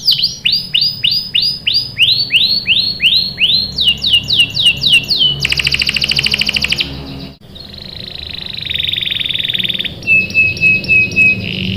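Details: Young canaries are meant to be drawn into singing by this lively canary: repeated arched whistles, a dense buzzy roll, a pause, a flat buzzy note and a run of short level whistles.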